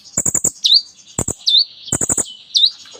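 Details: Sunbird song used to get silent sunbirds singing: short rattles of quick clicking notes alternate with a sharp, bright, hooked chirp, a pattern repeated about every second.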